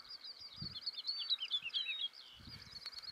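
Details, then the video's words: Woodlark singing from a tree above observers at dawn in East Anglia, digiscoped, while Stone Curlews call and display nearby: a continuous fluid run of looping, warbled high notes lasting about two seconds, with low thumps and faint background noise. "singing Woodlark"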